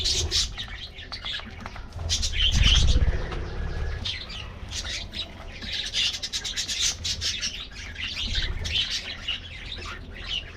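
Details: Many colorful budgies in an aviary at their morning treat, loud rolling chatter of high warbles and chirps in repeated surges, with a heavy low thud early on.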